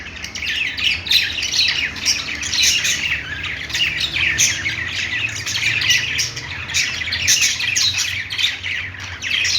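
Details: A group of pet budgies playing, with steady dense twittering and squeaky chirps overlapping for the whole stretch, some brief sharper notes standing out.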